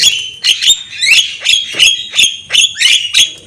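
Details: Javan myna singing with head-bobbing display, a training recording; a steady chain of loud rasping, buzzy notes with rising whistled starts, about three each second.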